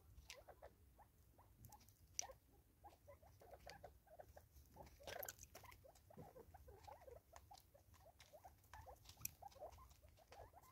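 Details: Natal spurfowl, five birds eating together in South Africa during 2024: a continuous patter of soft, brief mid-pitched notes in a rhythmic flow, with crisp clicks and low background rumble.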